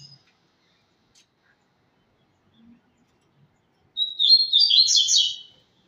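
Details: Double-collared seedeater delivering a tui-tui style song: a short high phrase that opens with a thin note, then breaks into a dense buzzy, chattering trill for about a second and a half. Otherwise quiet.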